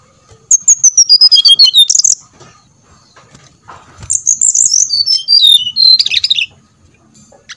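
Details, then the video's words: Brown-chested jungle flycatcher song serving as a lure to make birds sing: two long runs of rapid, sweet high whistles, each gliding gradually lower, with a short pause and a soft thud between them. "pancingan srdc biar bunyi, sikatan"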